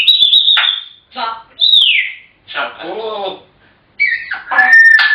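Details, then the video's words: African grey parrots chattering at home: high flat whistles and falling slides alternate with voice-like babbled syllables, several phrases in quick succession. "Chatterboxes!! African Grey Parrots"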